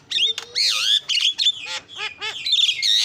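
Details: Singing starling used as a lure, giving a dense medley of clear whistles, downward-curving slurred notes and buzzy rasps with hardly a pause.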